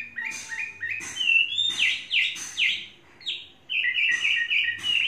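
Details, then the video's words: Chinese hwamei, a trained bird kept three seasons, alternating stepped whistled phrases with louder ringing notes, then a pause before a rapid series of even, repeated whistles. "Hoa mi hót cực hay"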